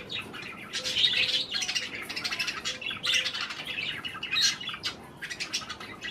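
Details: Pet budgies eating cherry tomatoes chatter in bright, high chirps and squeaky warbling notes, rising and falling in loudness over several bursts in an indoor setting.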